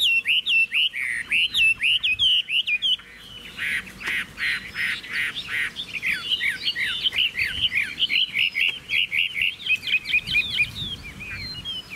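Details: Chinese hwamei singing, a caged bird shown for sale: loud varied phrases of rapid whistled notes, clustered upslurs and slurred loops, repeated in dense bursts with brief gaps, carried on steadily throughout.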